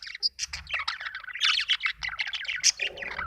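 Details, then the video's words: Budgie chattering in quick, buzzy chirps and clipped whistles, a steady excited twitter with a few higher squeaks. "budgie chirping sound"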